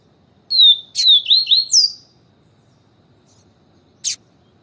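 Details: Yellow-bellied seedeater in the siu siu song style, with a female calling to warm up the male. One fast phrase of high whistled notes that slur downward, then a rising, buzzy flourish. Sharp clicks are heard twice.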